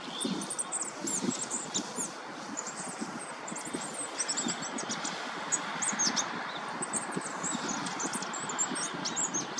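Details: Goldcrest, Korea's smallest winter bird, in early March 2024: continuous, very high-pitched, thin twittering and sharp ticking notes throughout, over a low rumbling background like distant traffic.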